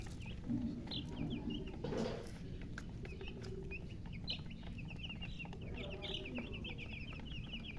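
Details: Baby chickens calling from thirst for water: rapid runs of bright, high, falling peeps, dense in the second half, with a continuous deep hum underneath.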